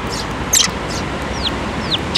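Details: Eurasian tree sparrows gather to be fed at a Tenmangū shrine on 7 May 2024, with the year's first fledgling. Sharp chirps and two clear, descending whistled notes, slightly spaced, over steady background hiss.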